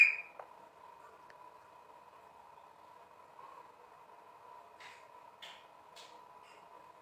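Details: Quiet steady mid-pitched electronic hum in a small room, with a sharp click at the start and a few faint soft taps later, no animal voice.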